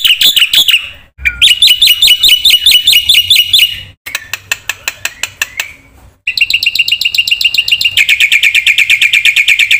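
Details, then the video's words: Black-winged myna in full 'isian' song for training birds that have stopped singing: loud fast chattering trills in long runs, interrupted by a stretch of dry ticking clicks, then a sustained rapid trilling series. "suara burung jalak putih gacor full isian TERHEBAT untuk pancingan dan masteran macet bunyi"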